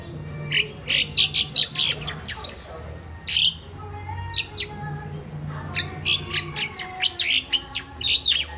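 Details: Crested myna kept as a household pet in the Philippines, known as a mimic, chattering with dense runs of harsh, high chirps and grating squawks, some in rapid clusters, with a low background hum.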